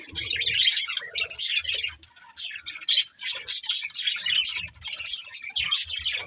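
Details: Budgerigars, a breeding pair, give bursts of harsh squawky chirps and warbled chatter in short phrases separated by brief gaps, with faint low thumps underneath.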